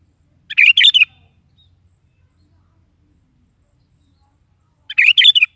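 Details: Sooty-headed bulbul singing energetically in the morning: two short, loud, bubbly warbled phrases about four seconds apart, separated by near silence.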